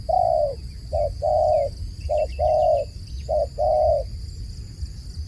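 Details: Loud, close dove cooing: a long coo, then three phrases of one short note followed by an extended coo, in a steady rhythm, with faint chirps from other birds.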